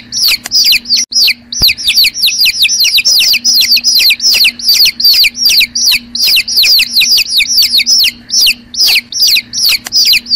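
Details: Chicks, baby chickens, keep up a dense chorus of shrill descending peeps, overlapping calls tumbling one after another almost without pause, with a single sharp tap early on and a steady faint electrical hum underneath.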